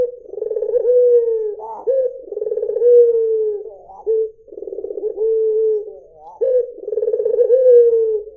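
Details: Back-to-back rolling coos from a white Barbary dove, low and tremulous, with little pause between phrases. Short upward flicks link one purring phrase to the next in clear conditions.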